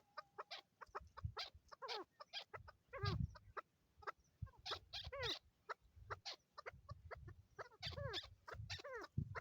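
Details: Male and female chukar in Swat, Pakistan, 2022, calling steadily: rapid clucks mixed with arched, chevron-shaped chuk notes repeating about twice a second. Low human voices murmur underneath.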